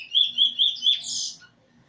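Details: Eurasian bullfinch practising song beside a teacher bird, 13 August 2020: four loud, clear whistled notes at an even pace, ending in a brief rougher burst, then quiet.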